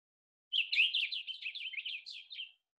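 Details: Blue Grosbeak song in South Carolina in spring: a two-second rush of jumbled, warbling notes pitched high, running together without pause or clear repetition, like a DJ spinning records; nothing else is heard.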